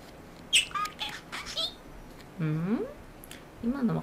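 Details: A pet talking budgerigar, out of its cage, chatters to its owner in quick, high, squeaky word-like bursts, then a lower human voice answers twice, as if in conversation.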